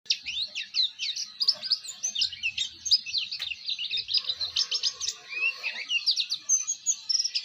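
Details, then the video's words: Oriental white-eye of the Bustomi type in a fast, sweet ngeriwik song used as master song for training other white-eyes: a dense unbroken stream of high, thin, quick chirps and twitters with slurred up-and-down notes, faint low thumps beneath. "pleci Bustomi ngeriwik syahduuu"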